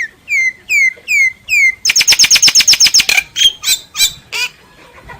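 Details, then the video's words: Common myna sings four clear down-slurred whistles, then a rapid series of about ten sharp chattering notes, then a few scattered rough calls. "Tiếng chim sáo, sáo nghệ hót chuẩn"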